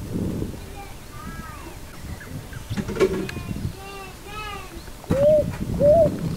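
Picui ground dove giving soft, hollow coos that rise and fall, repeated about every second and louder toward the end, over low background rumble.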